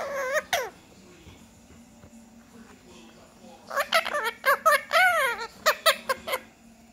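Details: Talking six-month-old Indian ringneck kept as a pet: two quick voiced syllables, a lull, then a lively stream of rapid, pitch-bending speech-like syllables, sharp and nasal, over low room hum.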